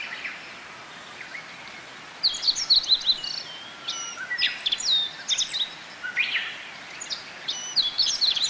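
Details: Japanese white-eyes flock to bottlebrush flowers for nectar at Kobe Municipal Forest Botanical Garden, Japan, on 14 June 2018, on a pleasant day in the rainy season. After a quiet start, a lively stream of high, thin, chirping and slurred notes follows in irregular bursts.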